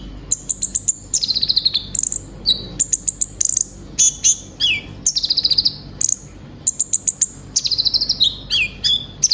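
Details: Captive brown-throated sunbird (konin), kept as a songbird and said to mimic other birds, singing energetically. Very high sharp chirps, rapid ticking trills and descending whistled sweeps come in dense bursts with short pauses; no other sounds stand out.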